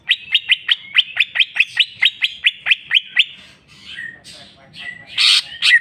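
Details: Greater green leafbird singing in full jamtrok style, bringing out its learned song fill: a fast run of about thirteen sharp, downward-sweeping notes for three seconds, then scattered varied whistles and a louder buzzy burst.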